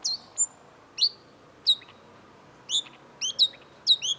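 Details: Long-tailed shrike (cendet) singing lively, spaced high chirps, some with downward-curving whistled tails, followed by a quick cluster of bright, paired notes.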